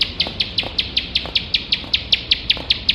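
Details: Bar-winged prinia used as training material for competition birds, singing nonstop in the rapid nembak style: sharp, high chip notes repeated about five times a second in a steady run over faint background hiss.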